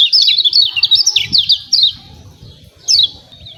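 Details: Lemon-bellied white-eye, kecial kuning from Lombok, in 'ciak ciak' song used as a trigger for singing: a busy, high, rising-and-falling chirp run, then a lone sharp note after a gap, over faint low ticking.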